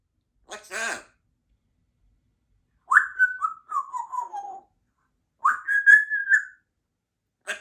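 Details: Pet female Congo African grey parrot, two years old, practicing her sounds and words indoors: a brief noisy chatter, then two whistled phrases, the first falling in steps, the second rising then level, separated by pauses.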